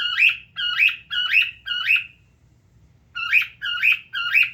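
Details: Pet cockatiel, a male living with a family, calls in two bursts: four loud screeching notes, a pause of about a second, then three more at the same rhythm.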